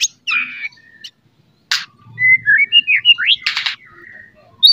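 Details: Loud morning white-rumped shama song used as a lure to make a shama more fighting: a buzzy downslurred note, harsh bursts, then a sweet run of fluted whistles and twisting slurs, ending on a sharp high note.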